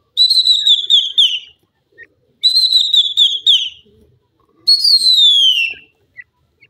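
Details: Pet francolin (teetar) in captivity, said to be unwell and dizzy, gives three loud shrill whistled phrases about two seconds apart, each a run of high notes sliding gradually downward, the last a single long falling whistle.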